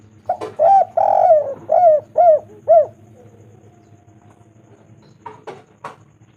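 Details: Spotted dove call used as a lure to make doves call: a run of five or six mellow coos over two and a half seconds, the second drawn out, the rest short and evenly spaced, followed by faint chirps.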